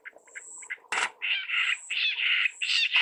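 Jungle bush quail giving a few soft short notes, then a run of loud, burry, mid-pitched notes in quick succession, with a thin high whine and a sharp click.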